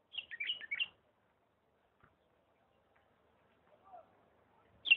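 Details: Bulbul from Diyala singing in the refined 'lisanat' style: one quick burst of liquid, warbled notes opens, a quiet gap follows, and a single bright note sounds at the end.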